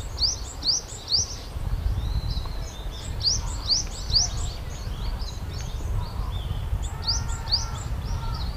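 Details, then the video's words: Noisy brown-eared bulbuls in Japan drink nectar from cherry blossoms. Quick upswept squeals repeat roughly twice a second in lively runs, with softer chatter between them. A low rumble of background noise runs underneath. "Bulbuls making noise in the cherry tree. 桜の木で騒ぐヒヨドリ"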